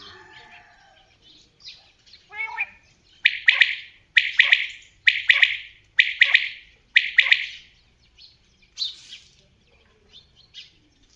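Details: Common quail: scattered soft chirps, then a run of five loud, clipped triple-note phrases spaced about a second apart, fading back to faint scattered notes.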